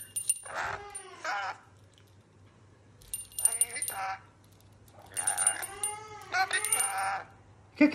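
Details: A pet rainbow lorikeet, described as a clown, makes bursts of harsh, harmonic chattering and speech-like babble in three groups separated by short pauses, with bright jingling bell tones ringing in the background.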